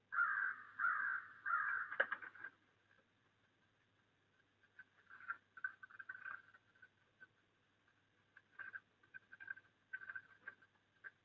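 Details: Crows call during a snowy December, opening with three loud, rasping caws in quick succession. After a short lull, softer, more distant caws follow at irregular intervals.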